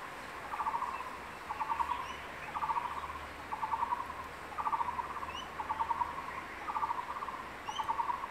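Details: Crested goshawk male near the nest in secondary forest, calling his incubating mate to take the lizard he caught: steady series of fast rattled bursts, each under a second, evenly repeated about once a second, faint high bird chirps behind.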